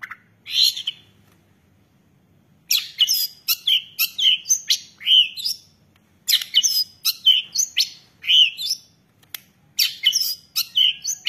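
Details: Madura long-tailed shrike masteran song rich in fill-in phrases: bursts of quick, varied chirps and twisting whistled notes, separated by two silent pauses of a second or more, on a quiet background.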